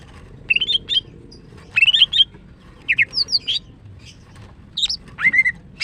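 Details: Female greater green leafbird in long, energetic song, used to lure a silent male into singing: clusters of clear, slurred whistles and chirps, repeated in quick groups with short pauses.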